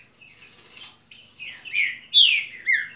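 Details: Short stretch of saffron finch song: a few soft high notes building into louder, slurred falling whistles toward the end.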